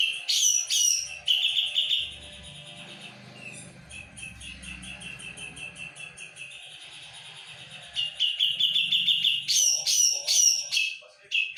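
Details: Energetic song of a Javan brown-cheeked bulbul: sharp loud chattering bursts open and close the passage, separated by a long softer stretch of continuous twittering over a low murmur.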